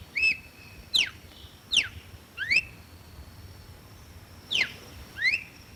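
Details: Red-cowled cardinal singing, recorded clean without added effects: sharp whistled notes sweeping steeply down from high to mid pitch, six phrases spaced roughly a second apart with a pause in the middle, over a faint steady high hum.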